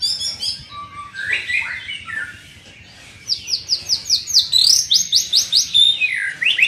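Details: Young white-rumped shama in training sings descending whistles, then a long fast string of sharp, high, evenly spaced notes, roughly two or three per second; a man speaks briefly beforehand.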